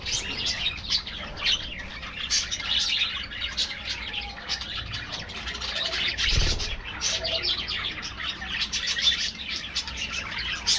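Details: Budgerigar colony in an aviary keeping up an even wash of overlapping chirps and scratchy warbles from many birds, with a short low thump midway.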